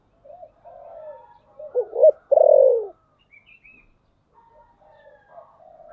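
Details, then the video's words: Decoy spotted dove cooing in the 'thổ sấm' style to lure wild doves: soft low notes, a pair of sharp accented coos, then a loud drawn-out falling coo; faint distant higher notes follow. "Cu gáy Giọng thổ sấm/ Tiếng cu mồi thúc bổi"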